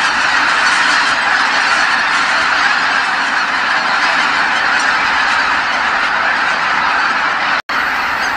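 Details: Tens of thousands of geese flying back to Kabukuri-numa marsh at nightfall, all calling; dense continuous honking roar, cut by a brief silent break near the end before the chorus resumes.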